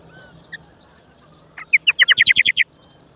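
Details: Indian roller chick at the nest in the woods begging: one faint short note, then a sudden rapid burst of about nine harsh, rasping notes packed into one second, loud against a quiet background.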